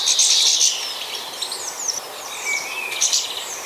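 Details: European goldfinches squabbling with each other at a garden feeder in Hampshire, UK, 2020, giving angry, harsh, scratchy, high-pitched chattering and twittering in quick bursts over a faint background hiss.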